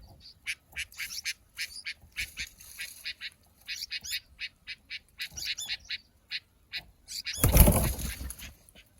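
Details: Himalayan (white-cheeked) bulbul, Pycnonotus leucogenys, chicks give rapid, harsh, high chirps in quick irregular bursts, with a brief rustling thud near the end.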